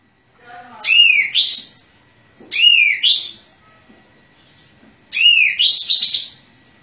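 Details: Sooty-headed bulbul singing actively with tail spread, delivering three phrases, each a slurred whistle dipping then sweeping sharply upward into a bright chirp, spaced about two seconds apart.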